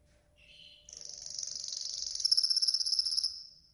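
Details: Training song of a yellow golden canary. A short low note precedes a high, buzzy, rapidly pulsing trill that swells in loudness and then fades.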